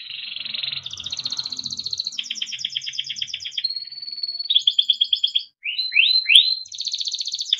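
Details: Timbrado canary singing a melodic training song: a long run of rapid trills and rolling tours on changing pitches, a steady held whistle, then upward-sweeping slurred notes and a final fast trill, with a faint low murmur early on.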